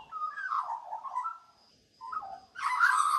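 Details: Female magpie that mothers a litter of five puppies and sings them to sleep; rolling warbled phrases that wander up and down, a brief silence, then a louder, harsher burst of song at the end.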